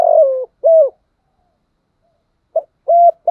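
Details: Spotted dove kept as a lure bird to provoke wild birds, cooing in low, mellow notes: a long sliding-down coo and a short round one, silence, then a clipped note and a steady coo starting the next phrase.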